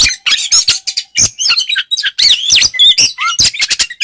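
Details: White-rumped shama singing ngeplong style to provoke rivals, a busy stream of sweeping whistles, looping slurred notes and harsh chips in rapid succession.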